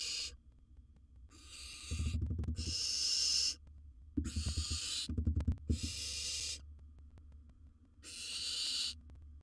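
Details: Barn owls in a wild nest box as one bird swallows large prey: harsh, noisy hissed screeches of one to two seconds, four in a row, over a steady low hum and rustling thumps.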